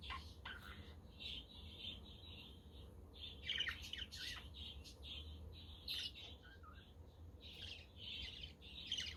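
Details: Several pet budgerigars warble and chirp almost continuously on a windy, sunny day, with bursts of squeaky, rapid notes and a soft low background rumble.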